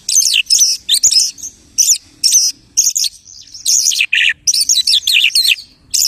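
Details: A lark copies the songs of other birds in loud, bright chirps and rising and falling whistles, grouped in bursts with short silences.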